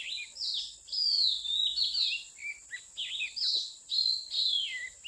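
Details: Wild Oriental magpie-robin in mountain country where people trap birds, recorded 8/15/16: loud, varied whistled phrases sliding down from high to mid pitch, with short chirps between them, over a steady high-pitched hiss.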